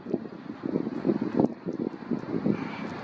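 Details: Gusting wind buffets the microphone over a low, steady rumble like passing traffic, with no animal calls.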